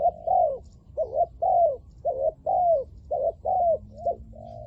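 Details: Spotted dove kept as a decoy to draw in wild spotted doves, cooing in the 'lio tan' style: a steady run of about nine mid-pitched coos, alternating short warbled notes with longer falling ones, nearly one per half second.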